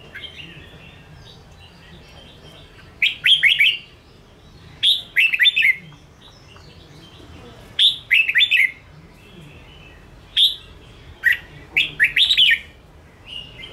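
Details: Caged Ché-style red-whiskered bulbul song for provoking newly caught birds into singing and training them for group competition: bright whistled phrases of rapid rising and falling notes, delivered in short bursts every two to three seconds against quiet low hum.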